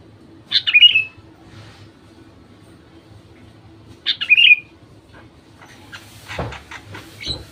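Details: Sooty-headed bulbul singing as a lure to prompt other bulbuls into song: two short, bubbling, downward-sliding phrases about three and a half seconds apart, followed by a burst of rattling knocks.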